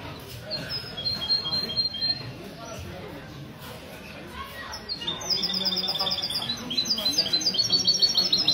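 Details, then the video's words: Goldfinch-hybrid mesto heard at a Sunday morning café meeting of a goldfinch club, Ksar El Kebir, 16/02/2020; a short thin trill early, then a long run of loud rapid high chirps and trills over background conversation. "تغريد الميستو"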